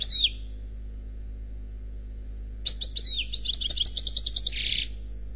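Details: An unmated European goldfinch sings Khalwi style. A short opening flourish, a long silence, then a lively run of sharp chips and quick notes ending in a harsh, buzzy burst. A low background hum is steady throughout.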